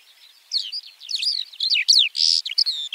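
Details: White-winged lark (Alauda leucoptera) song fragment: tumbling high twitters and slurred descending whistles, ending in a harsh buzzy note and sharp chirps.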